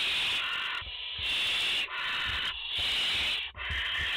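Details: Barn owl nest in France, mother and four chicks, 30 August 2021: almost continuous overlapping rasping hisses, broken by four brief pauses, loud and dense throughout.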